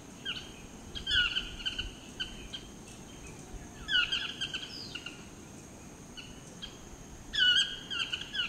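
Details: Chestnut-mandibled toucan display calling in Costa Rica: loud, harsh yelping phrases in bursts about every three seconds, over a steady high insect whine and low background rumble.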